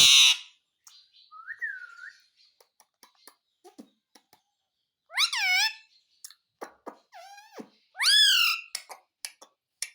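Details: Talking Indian ringneck parakeet copying "mummy papa": a short whistled note, then three loud, harmonic, word-like squawks among small clicks and ticks, indoors.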